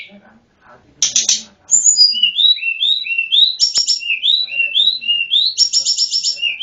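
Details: Lure recording of Sunda Robin, called tledekan gunung: after a brief buzzy burst comes a fast run of clear whistled notes, each rising or falling, broken by rattling buzzy trills.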